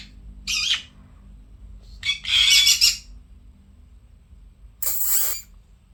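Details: Two pet conures kept indoors: three loud, harsh, raspy squawks in separate bursts with short silent gaps, the middle one longest.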